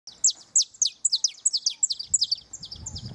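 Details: Canary singing near its nest: a quick run of high, sharp downslurred notes, about three per second, with soft low rumbling noise toward the end.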